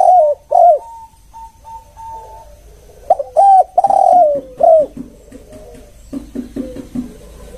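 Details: Spotted dove lure call of the one-kuk type: short hoarse coos in two bursts, then a softer run of lower, quicker notes toward the end.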